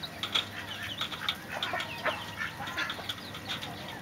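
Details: Several Mexican Speckled Bobwhite quail give short, high chirps and peeps that overlap in a busy, scattered chatter, over a faint rustling background.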